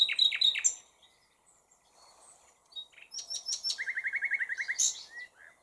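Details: Common nightingale song: sharp clustered notes, a short gap, then a steady run of about a dozen evenly spaced pulses and a closing high flourish.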